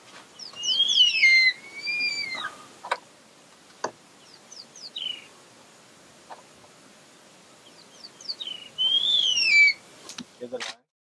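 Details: Hungry juvenile Verreaux's eagle-owl, wild in African bush close to Satara Camp, early morning, begging its parents nearby for food: two loud bursts of wavering, slurred whistles with quick high downslurred notes, separated by quieter scattered notes and sharp clicks.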